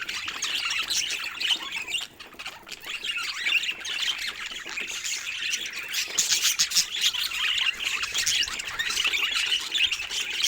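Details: Several budgies warbling at once, an unbroken stream of high chirps, squeaks and rasping squawks rising and falling in loudness.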